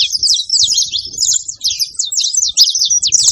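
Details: Wild saffron finch, male and female together in nature, giving a fast run of high chirped notes and short sweeping whistles packed closely together, with faint low rustling beneath.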